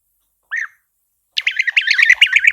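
European Bee-eater giving one short rolling note, then a rapid run of liquid, burry, trilled calls around mid pitch, several per second.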